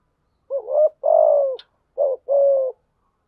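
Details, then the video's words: Spotted dove used as a lure to trigger cooing, delivering two deep two-part coos: a quavering rising opener and a long level note dropping at the end, one sharp click between. "Tiếng chim cu gáy mồi thúc gù kích là gáy 100%"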